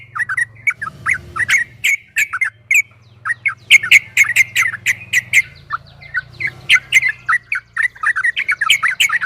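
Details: A yellow-vented bulbul delivering its long ropel song for training: lively bursts of bubbly, slurred notes separated by short pauses over a steady low hum.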